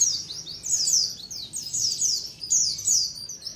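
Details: Flock of white-eyes in colony chatter, used to lure birds in. High-pitched, downslurred chirps tumble over one another without a break.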